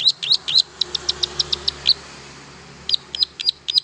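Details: Long-tailed shrike song for prompting mute shrikes to start singing: quick series of high, clipped chirps repeated several times a second, a brief pause, then a further cluster of sharp notes.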